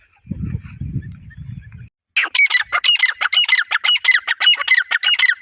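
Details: Grey francolin calling: low rumbling noise at first, then a run of loud harsh raspy notes repeated several times a second.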